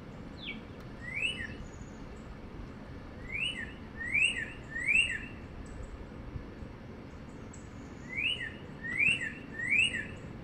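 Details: A northern cardinal on a wire in sunny north central Florida in spring 2022 gives loud, slurred whistles in quick groups of two or three, pausing between bursts, over a steady low rumble of wind or distant traffic.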